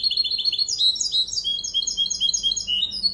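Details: Continuous high, rapid twittering from a goldfinch x canary hybrid, its memorised song meant to teach goldfinches and canaries, mixing quick chirped phrases and slurred whistles without a break.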